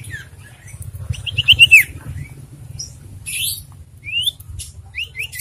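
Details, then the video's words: Ashy tailorbird lure call meant to provoke birds and stimulate breeding condition: a bright descending whistled phrase followed by a scatter of short rising whistles and thin squeaky notes over a low background hum. "Memancing emosi dan Merangsang birahi burung sirtu"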